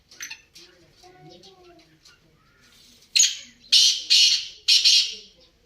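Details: Black francolin giving loud, harsh, grating call notes in a quick series of bursts, after quiet murmuring human voices in the background.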